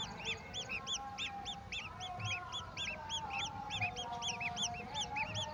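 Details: Golden oriole bringing a mantis to its chicks; dense, overlapping, high arched chirps form a continuous chattering chorus, with a low background rumble underneath.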